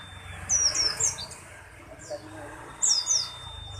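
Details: High-pitched chattering phrases from a pleci buxtoni white-eye, two brief bursts of squeaky notes separated by a quieter pause over a soft hiss.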